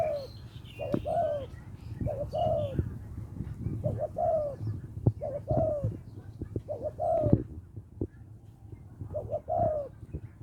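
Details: Mate-calling spotted dove with a small voice, Lopburi, Thailand; a long run of gentle cooing notes repeated at uneven intervals, soft sharp taps between them and a constant low rumble underneath.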